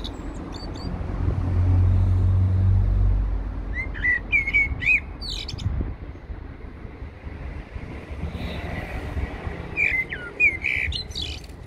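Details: Eurasian blackbird at Heidelberg Castle singing two fluted, warbling phrases ending in thin squeaky twitters, separated by a pause, with a passing vehicle rumbling loudly early on.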